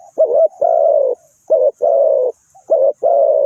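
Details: Decoy spotted dove used for trapping, giving low, rough cooing phrases, each a short clipped note running into a drawn-out burred coo, repeated three times with brief pauses between.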